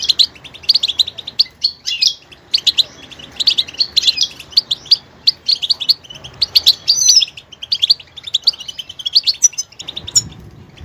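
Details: Goldfinch delivering long, diverse song phrases of dense high twitters, tinkling chirps and brief whistled accents, nearly continuous with a few short pauses.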